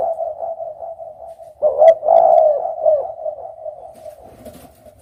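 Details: Spotted dove cooing: a steady, low, hoarse coo holds at one pitch, then swells into a louder, rolling coo in the middle before it fades back to a softer, drawn-out tone.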